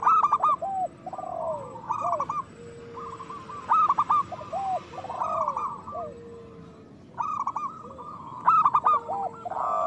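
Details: Several local zebra doves singing loudly, a recording meant to push other doves to sing and breed. Staccato high coos come in bouts, mixed with lower, drawn-out gliding notes and short pauses.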